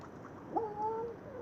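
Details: A crow trying to scare ducks away from birdseed gives a single odd, smooth, hooting "bu-ouuh" note, likened to a dog's bark, held level for about half a second, over quiet background hiss.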